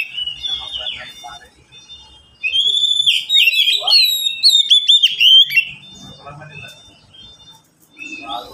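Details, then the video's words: Oriental magpie-robin in a home cage, three birds answering one another: soft high whistles, then a three-second outpouring of loud, fast, buzzy and whistled notes with sharp upward flicks, followed by quieter scattered chirps. "Kicau mania sederhana cocok untuk masteran burung Kacer yang malas bunyi"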